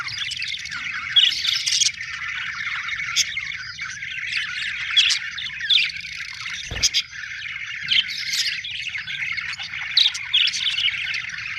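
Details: A flock of happy budgerigars, called Australian birds, chirping continuously with busy buzzy warbling and frequent sharp clicks and squeaks, one short knock midway.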